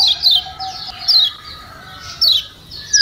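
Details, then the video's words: Yellow white-eye from Lombok, played to coax a reluctant bird into song: a few sharp, high, downward-slurred 'ciak' chirps spaced about a second apart, with a faint lower steady tone behind. "Ciak Ciak Kecial Kuning Joss Perangsang Ampuh Bikin Kecial Malas Bunyi Jadi Gacor‼️"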